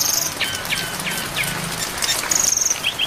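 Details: Brown-chested jungle flycatcher song recording with added rain, a long full-filled training track for songbirds: short high whistled notes and quick upslurred chirps over a steady hiss of falling rain.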